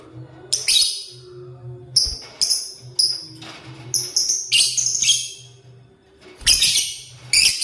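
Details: Lovebird in the morning while eating corn, giving sharp, high, bright chirps in short irregular bursts separated by brief pauses, over a steady low hum.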